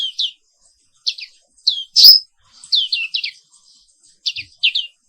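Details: High twittering from a black-capped white-eye in the morning: paired chirps in short groups, with one loud strident whistle early on and steady chirping afterward.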